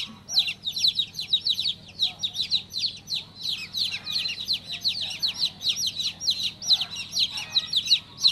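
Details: Newly hatched chicken chick chirping nonstop, rapid high falling peeps in dense overlapping runs with occasional short breaks, a faint low hum in the background.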